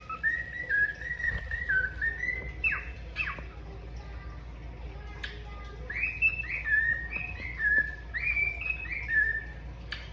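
A cockatiel sings a run of clear, warbling whistles that rise and fall in short phrases.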